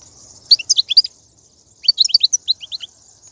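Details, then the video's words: European goldfinch in the wild, 2019 'batbata' twittering song: two quick bursts of liquid, high chirps and slurred notes, each about a second long, over a faint constant high-pitched hiss. "بتبتة الحسون , (بتبتة برية 2019)"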